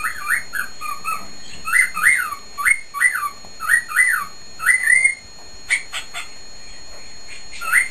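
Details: Male cockatiel whistling loudly from his cage: a run of arched, rising-then-falling whistled notes, about one a second, in two bursts, followed by a few short sharp chirps.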